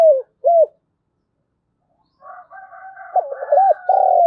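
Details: Decoy spotted dove's morning lure call for wild doves: the tail of one cooing phrase, a quiet pause with a fainter second cooing voice, then the loud start of another phrase.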